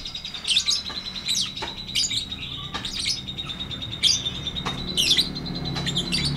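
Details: Lovebird singing in the long ngetik ngekek style: sharp, harsh chirping bursts about every second over a steady high ringing tone, with a faint low hum beneath.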